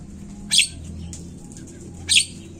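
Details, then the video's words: Javan myna (jalak kebo), played as a lure so birds start calling: a pair of brief rasping, broadband screeches about 1.5 seconds apart against a soft low hum. "Pancingan burung jalak Kebo cepet bunyi"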